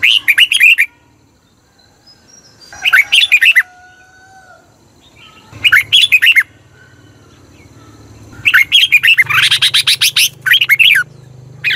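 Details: Red-whiskered bulbul singing in Thailand, a recording meant to excite caged birds or lure others. Lively bursts of rolling whistled notes repeat every few seconds. Near the end the phrases crowd together over a low background hum.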